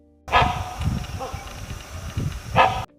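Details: A Great Hornbill (Buceros bicornis) gives two loud, harsh, barking notes about two seconds apart, over soft background music and low rumbling.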